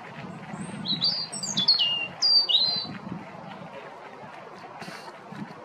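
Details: A robin sings in the afternoon, a brief phrase of thin, high, sliding whistles that rise and fall quickly, over a low steady rumble of background noise.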